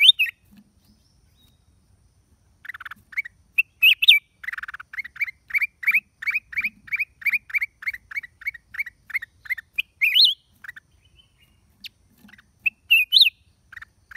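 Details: Black-crested bulbul, recorded 29/12/23, gives scattered sharp notes, then a steady run of quick, evenly spaced hooked chirps, ending with a few louder, higher, upslurred calls.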